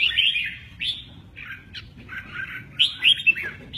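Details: Red-whiskered bulbul, singing in 'mơ ché nẹt' style and flicking its wings, gives clear warbled phrases of rising and falling whistles, separated by short gaps, in quiet surroundings.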